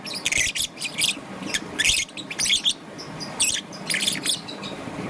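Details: Morning chirping from a young peach-faced lovebird, green and yellow: clusters of harsh, high chirps broken by brief pauses, roughly a burst every second, over soft low background noise.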